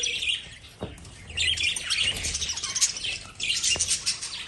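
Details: Lovebirds chirping in a busy, overlapping chorus of short high twittering notes, bursts swelling and fading over a few seconds, with brief gaps between flurries.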